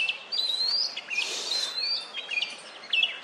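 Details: Oriental magpie-robin, a songbird perched on a wooden stump, ruffling its feathers and calling out to females during courtship; a short run of clear, varied whistled notes with brief slurred phrases and gaps between them.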